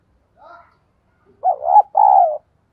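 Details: Decoy spotted dove, sát bổi voice style: after a faint soft note, three loud low coos follow closely, the last long and steady.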